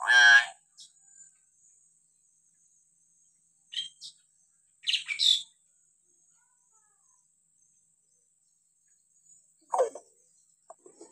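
Hill myna giving a loud, rich, harmonic call, then a few short, varied squawks and whistles at irregular gaps, over a faint steady high-pitched whine.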